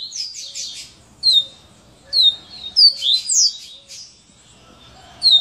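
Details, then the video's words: Double-collared seedeater singing its "chainsaw" song type: bursts of high, sharp, sweeping whistled notes, some slurred downward, repeated about every second with brief pauses. "Coleiro Serra elétrica"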